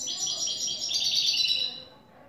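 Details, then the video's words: European goldfinch in cante limpio style: one continuous, fast, bubbling run of high tinkling notes lasting nearly two seconds before fading out. "Jilguero a cante limpio " el tres vueltas""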